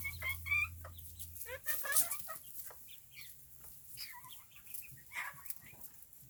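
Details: Small bantam chickens, a family with chicks, kept as backyard birds: high, clear peeps and short rising chirps repeated irregularly, mixed with softer clucks and a few sharp high notes.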